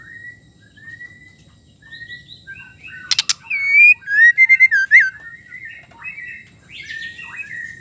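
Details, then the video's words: Song of a female white-rumped shama, meant to make male shamas sing and get excited: soft whistles build into sharp clicks and a fast burst of looping, warbled whistled notes, then quieter trailing phrases. "suara murai betina gacor pendongkrak emosi asli bikin gacor murai batu jantan"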